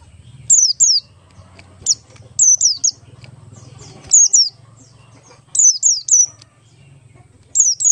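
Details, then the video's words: Oriental white-eye of the Buxtoni type in ngalas song style, used as a lure to get other white-eyes singing quickly: high, sharply falling whistled notes, often in quick pairs, in bursts about every second or two, over a low hum. "pleci Buxtoni ngalas 12345 pancingan pleci bahan agar cepat bunyi"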